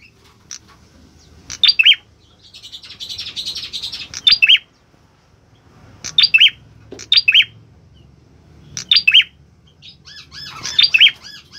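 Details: Orange-headed thrush singing vigorously: short bursts of two or three sharp, high chirped notes, repeated irregularly every one to two seconds, with a soft scratchy twitter between bursts and faint low room hum.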